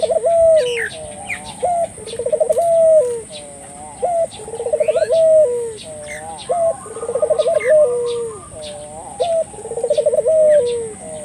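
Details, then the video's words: Turtle dove, calling to stimulate local doves, delivers a long run of repeated coo phrases, each an abrupt rising note, quick quavering roll and long low tail, about every two and a half seconds, among soft twittering of other birds. "suara burung puter gacor,merangsang buru puter lokal ikut gacor"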